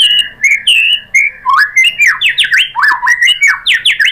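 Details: White-rumped shama (murai batu) song used as a lure to provoke rivals into singing, from Indonesia: rapid run of loud, clear whistled slurs, rising and falling sharply, delivered in quick bursts with hardly a pause.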